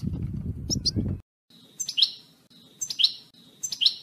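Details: European goldfinch, batbata recording used to urge a pet goldfinch to sing; after a second of low murmuring background, a bright rising two-part call note repeats roughly once a second.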